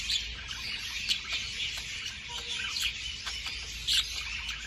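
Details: Quiet continuous budgerigar chatter for mating stimulation, a high twittering wash broken by a few brighter chirps spaced a second or more apart.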